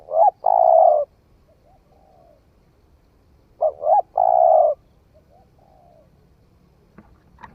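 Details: Newly calling spotted dove tested in the forest, giving two cooing phrases about three seconds apart, each a pair of short hollow notes and one long sustained coo, trailed by soft faint notes.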